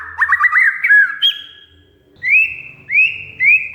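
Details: Kacer, the oriental magpie-robin, singing gacor-style lure material: a quick burst of twisting whistled notes, a pause, then three rising whistles about every half second with a faint low hum behind.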